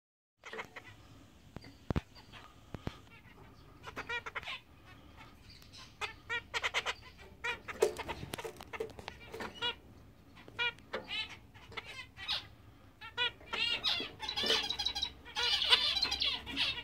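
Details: A big English zebra finch pair, a grey male and a fawn female, giving a busy run of short, nasal, toy-trumpet beeps and clicks.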